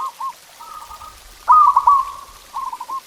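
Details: Training song of a local zebra dove, played to get caged doves singing: brief clipped coo notes, then a loud rolling phrase of rapid staccato coos at steady mid pitch, followed by softer repeated notes.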